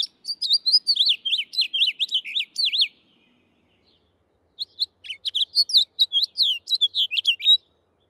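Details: Male house finch song played back in a bird-song class: two bursts of busy, lively warbling made of quick up-slurred and down-slurred notes, the first about three seconds long, a pause, then another, with scratchy rough passages mixed in.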